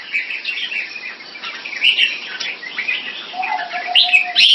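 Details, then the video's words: Singapore-kept Red-whiskered bulbul, a competition bird in display: rambling, warbled chirps at a moderate pace, with a steady thin whistle entering near the end and a sharper high flourish at the close. "นกหัวจุก Jambul"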